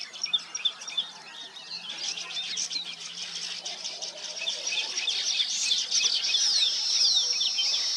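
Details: Nesting weaver birds giving a dense, chattering chorus of high chirps and buzzy sizzling notes, growing steadily louder and fuller toward the end.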